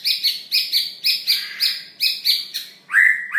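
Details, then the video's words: White-rumped Shama of the long-tailed type in active song with mimicry: a quick run of about eleven bright, doubled chirps repeated roughly four times a second, ending in a richer, lower whistled warble. "Murai Batu Ekor Panjang Gacoor Isian"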